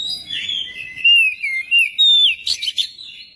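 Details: Lure recording of a magpie-robin in full song, meant to prompt other magpie-robins to sing. Sweet, sliding whistles run together into a continuous warble, ending in a few sharp, scratchy notes.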